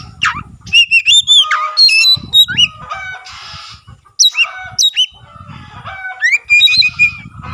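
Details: Singing Oriental magpie-robin, tail fanned open, its song said to prompt other magpie-robins to sing: rapid bright whistles, rising and falling slurs and scratchy rasping notes in bursts, over intermittent low rumbling background noise.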